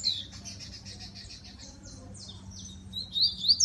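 A rusty-collared seedeater sings a fast, high chattering run of repeated notes, about six a second, ending in sharper whistled and rising phrases, over a faint low hum.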